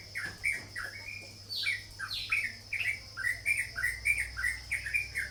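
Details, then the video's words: Sooty-headed bulbul opening with a few sweeping notes, then a rapid chatter of short bright chirps that quickens toward the end, over a steady background whine. "burung cucak jawa (Trucuk)"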